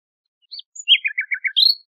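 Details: Nightingale song from a birdsong tape: a short high phrase that opens with a few thin notes, then a run of five quick descending slurred notes, each note about as loud as the last, in a clean, silent background.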